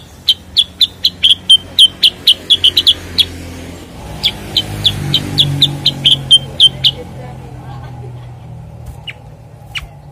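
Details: Cucak kurincang, or Common Iora, delivers a long, slightly uneven series of sharp, high chips for about seven seconds, then a few lone notes, with steady vehicle hum beneath.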